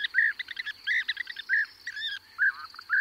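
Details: Close European bee-eaters, one perched and others calling in flight, giving dense, overlapping burry trilled calls with fuller rising-falling notes every half second or so, over a thin continuous lark song and corn bunting.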